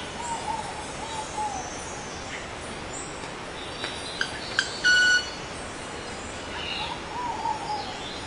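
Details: Male club-winged manakin (Machaeropterus deliciosus) gives two sharp ticks, then a brief, loud, ringing violin-like tone made with its wings; soft whistles from another bird come before and after.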